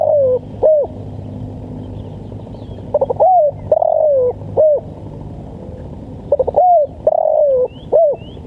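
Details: Spotted dove giving the 'lambung kuk' call, a recording meant for training and luring birds in East Java: two phrases of quick stuttered notes, then a long wavering coo and a short closing note, with a steady low hum behind.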